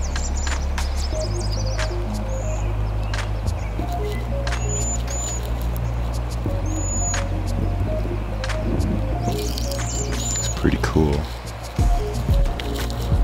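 Cedar waxwing giving very high, thin, lisping whistles, single or in short pairs, every couple of seconds, over steady background music.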